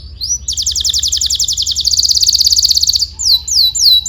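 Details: Canary singing, used to train young canaries: a long very fast buzzy roll of repeated notes lasting over two seconds, then three downward-sweeping whistles.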